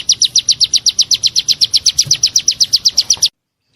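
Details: White-rumped shama 'isian tembakan' master recording: a rapid, even string of about twenty sharp, high chip notes, roughly five per second, over faint low background hum, then sudden silence.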